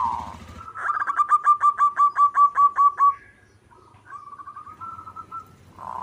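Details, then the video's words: Zebra dove of a local strain in steady song. A quick series of around ten clipped, ringing coos runs for two seconds, followed by softer broken notes and the start of another phrase. "Perkutut lokal gacor 99% suara perkutut manggung Nutut gacor"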